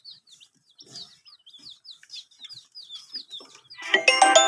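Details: Chicks drinking water, raised with supplied heat, peeping in a fast run of thin, downward-slurred notes several per second, before a loud burst of music cuts in near the end.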